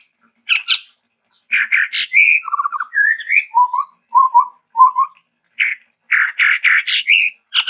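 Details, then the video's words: Varied, lively singing of the chestnut-rumped babbler, endemic to Sumatra. Scratchy chatters give way to rising whistled slides and a string of low mellow whistles, ending in loud buzzy rasping phrases. "TEPUS TUNGGIR MERAH GACOR VARIASI"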